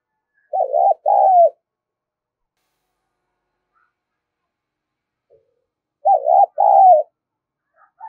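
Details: Spotted dove call used as a lure to draw in wild doves: two loud mid-pitched cooing phrases, the first wavering and the second longer and falling, repeated after about five seconds of silence.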